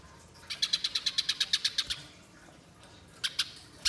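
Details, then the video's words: Spiderhunter calling vigorously for luring birds in the wild: a string of about twelve crisp high chips, then silence and a few scattered single notes at the end. "Masteran Pijantung Gacor Nyerecet Panjang Untuk Suara Pikat Di Alam Liar"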